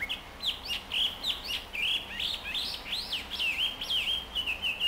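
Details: A Chinese hwamei, an invasive species in Japan, practises its song in Chōfu, Tokyo, on 30 June 2015: a continuous run of varied, slurred whistles rising and falling sharply between mid and high pitch, with few pauses.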